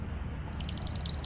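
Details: Pied bushchat singing vigorously in a training recording: a clear, loud sequence of high, repeated notes in quick even rhythm over a quiet background.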